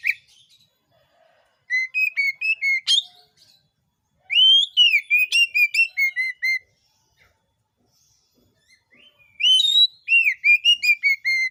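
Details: Oriental magpie-robin song used as a lure to set other magpie-robins singing: three bursts of whistled phrases, each a rising note followed by rapid, evenly spaced descending whistles.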